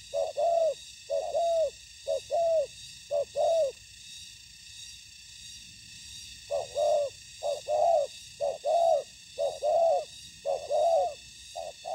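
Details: Spotted doves during ground trapping, a decoy bird and a combative wild dove, trade soft hollow coos in runs of two to four notes with pauses, over a faint high electrical whine.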